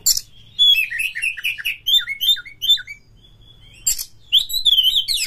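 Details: Caged oriental magpie-robin singing to stimulate other magpie-robins into song and fighting: rapid strings of clear whistled chirps in repeated short motifs, a sharp click, then a long slurred whistle.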